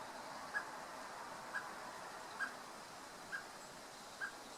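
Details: Common blackbird; call; male calling to his chick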